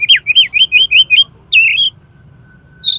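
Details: Oriental magpie-robin singing, recorded as a tutor for contest birds: a quick series of about eight bright, slurred whistles, each rising then dropping, then a longer warbled note, a short silence and one final high note.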